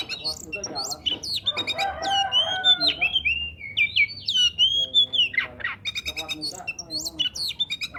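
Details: Oriental magpie-robin song played to prompt silent birds: a long varied run of looping whistled phrases rising and falling, interspersed with grating chattering bursts and sharp clicks.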